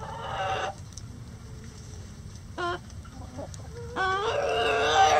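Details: Backyard chickens in a coop during light rain, a rooster among them: loud, harsh, harmonic calls open and close the stretch, with soft short clucks between, over a steady low patter of rain.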